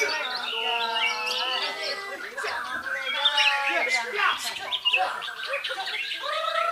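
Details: Clear, level whistled notes open this white-rumped shama song from Belitung island, repeated in a short series before giving way to quicker slurred chips, rattles and rising whistles.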